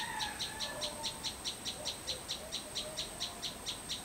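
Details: A sunbird (chim sâu) singing in a backyard garden in the Vietnamese countryside gives a fast run of high, thin, evenly spaced notes, three or four a second. Underneath are a steady high insect-like whine and faint lower whistles.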